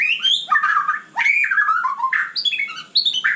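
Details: White-rumped shama in vigorous night song: a continuous stream of rich whistled notes that jump up and down in pitch, with a few scratchy accents and no pause.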